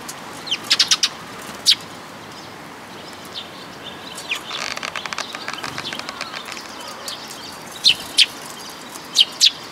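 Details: Sparrow at a Tenmangu shrine, 14 May 2022, giving crisp high chirps in clusters, with a rapid fluttering rattle in the middle, then further paired chirps toward the end against low background noise.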